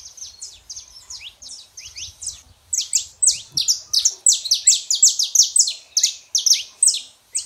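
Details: Male and female saffron finches singing a rapid run of bright, high, downward-slurred chirps that grows louder and denser partway through and repeats nearly three times a second, with a brief low knock in the middle.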